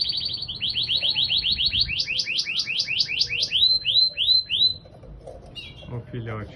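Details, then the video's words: A canary sings a fast run of rich, repeated trilled notes, about three per second, shifting through several phrases; faint chatter and a man's voice follow. "canário cantando muito"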